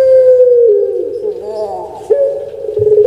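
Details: Caged puter pelung, the Javanese Barbary dove kept for its song 'kuk gerukkk kwokkk', gives a drawn-out low coo that slides down, grows rough and gurgling, then resumes as a held hoot.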